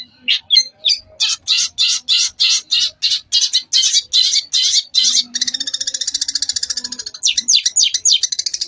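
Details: Long-tailed shrike song in rapid-fire style, used as a tutor recording for young shrikes: a run of loud, sharp, high chipping notes about three a second, then a fast buzzy rattling trill and a burst of quick notes.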